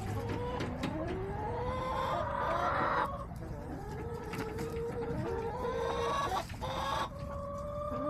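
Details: Backyard chickens on a homestead camera, with several hens giving drawn-out, tonal calls that rise and fall in overlapping waves over sharp clicks and scratching, then a brief drop-off and renewed calling.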